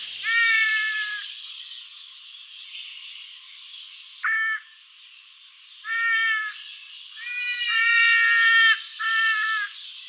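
Trumpeter Hornbill giving nasal, wailing bursts like a crying baby, about six over ten seconds, some drawn out, over a steady high insect hiss.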